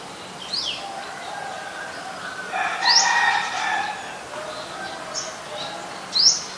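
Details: In Ubon Ratchathani, Thailand, on 3 February 2023, an adult Common Tailorbird, a common resident, gives loud upward-sweeping high notes roughly three seconds apart, with a busy chorus of other chirps and warbles between them.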